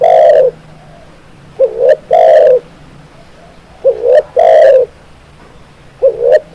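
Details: Spotted dove calling, used as a training and lure recording: loud, low hoarse coos, each phrase two short rising notes then a longer rough coo, repeated about every two seconds.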